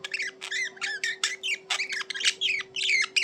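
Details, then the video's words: Continuous budgerigar chatter, rapid raspy chirps and squeaky warbles run almost without pause, some clear whistled notes near the end, faint steady hum beneath. "Budgies Chirping Reducer Stress of Lonely Birds"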